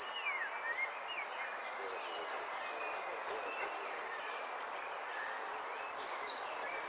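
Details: Saffron finch in a singing contest in Zona Norte, 01 11 15, yellow 'sin cierre' class, third place: faint ticking at first, then a burst of high, sharp falling notes near the end amid crowd noise.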